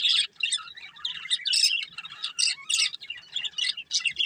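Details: Two budgerigars of a breeding pair chirping in quick, bright, chattering bursts, each a fraction of a second long, with short pauses between.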